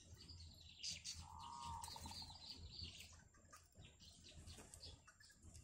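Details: Yellow bittern family in the wild at a nest with chicks; thin high chirps cluster around a clear, level whistled note held for about a second, over a steady low hum.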